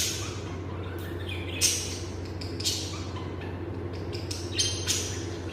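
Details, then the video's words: Lovebirds making a few short squawks and high chirps, the strongest ones coming near the middle and toward the end, with a steady low hum throughout. "lovebirds ' sounds Relaxing || Love birds sounds"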